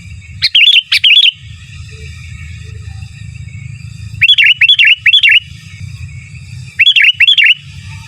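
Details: Sooty-headed bulbul singing giras and menggaruda phrases for masteran: three clusters of sharp clicks and bouncy looping whistles, the middle one longest, over a steady low rumbling hum.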